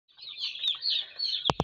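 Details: Broiler chicks being brooded in winter, a crowd of them peeping together in a dense, continuous stream of high, wavering chirps. Two sharp knocks sound near the end.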